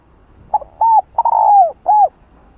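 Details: Spotted dove cooing in the 'hạp bổi' voice style used in Vietnam; a soft short note, then three fuller hollow coos, the third longest and drawn out with a falling finish, over quiet background.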